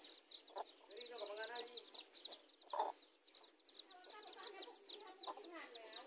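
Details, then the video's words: Garden scene of mother hens meeting to fight for territory, chicks around them; sharp loud clucks every second or two stand out against dense, rapid high-pitched chick cheeping. "Mother Chickens Meet Each Other to Fight for Territory"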